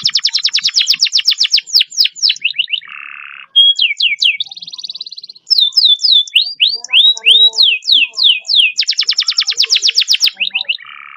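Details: Long speed-roll canary song used as a training lure for canaries that rarely sing: extended rapid trills, runs of descending whistled notes, buzzy rattles and sweeping slurs, continuous and energetic throughout.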